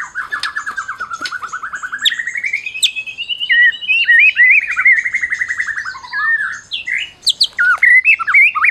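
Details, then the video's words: Champion white-rumped shama of the Medan type, singing to provoke other shamas; a long, fast trill that climbs slowly, then wavers and falls, ending in twisting whistles and sharp high chips. "Masteran Murai Batu Medan Berprestasi !! Murai juara,, cocok pancing murai lain yg bisu"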